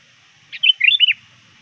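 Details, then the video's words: Sooty-headed bulbul calling rivals as a lure bird near dusk: one brisk phrase of bubbling, slurred notes, clean and close. "suara burung kutilang gacor memanggil lawan"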